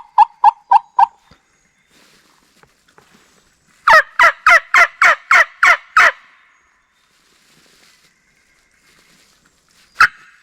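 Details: Wild turkey gobblers approaching fast toward a bowhunter in a Mississippi national forest. A short burst of four clipped notes opens, then a loud run of about eight harsh, rapidly repeated notes, and later one more sharp note after a quiet stretch.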